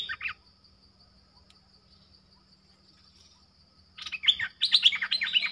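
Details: Streak-eared bulbul, lure bird drawing wild birds: a short chirp opens, then a long quiet stretch with a faint steady whine, before a loud final burst of rapid scratchy slurred notes.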